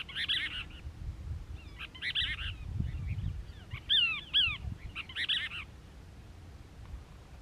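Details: A Cassin's kingbird (Tyrannus vociferans), one of a family, sings harsh, burry chattering bursts every couple of seconds with two clearer down-slurred notes, over a low rumble, at Moro Canyon, Crystal Cove State Park, California, 19 December 2021. A California towhee's 'tink' may be heard.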